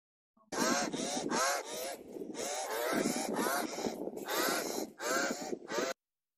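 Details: Pied Crow giving a rapid run of harsh, rasping caws, several each second for about five seconds, hoarse and slightly falling at the end of each note.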